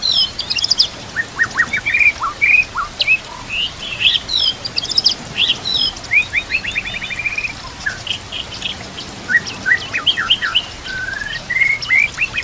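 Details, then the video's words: Dense murai batu (white-rumped shama) song used to train other murai, over nature sounds and trickling water: busy streams of quick high chips, trills and scattered whistles, with a long rising whistle near the end. "TERAPI MURAI BATU YANG AKAN MEMBUAT BURUNG BIASA JADI ISTIMEWA"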